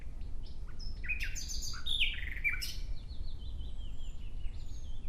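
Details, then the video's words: Nightingale delivering quick varied whistles and sharp chips in a dense burst around the middle, then fading to soft repeated downslurred notes. A steady low rumble is in the background. "Relaxing clear sound of Nightingale"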